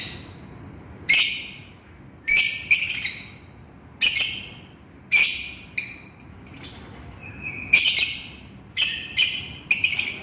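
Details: Calling to its companion, a lovebird gives loud, shrill, rasping chirps in irregular bursts, some doubled or tripled, spaced about a second apart, with a brief thin whistle between them.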